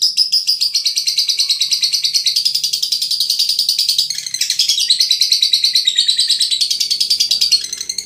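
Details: Brebes-bred Veronica lovebird delivering a dense, unbroken twittering song, rapid buzzy chirps rising and falling in pitch throughout.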